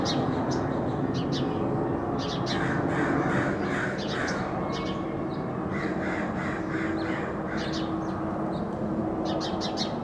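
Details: Angry neighborhood crows cawing loudly and harshly, rasping caws repeated in irregular bursts of two or three over a constant noisy background, with high chirps from other birds.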